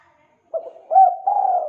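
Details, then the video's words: Spotted dove (tekukur) pancingan call for lazy doves: a short burst of three mid-pitched coos, the last held and slightly falling. "MASTERAN PANCINGAN TEKUKUR MALAS ATAU MACET BUNYI"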